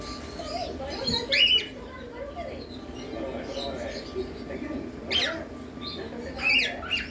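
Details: A pet cockatiel, making sound for the first time while confused, gives a few short, harsh chirping squawks spaced several seconds apart.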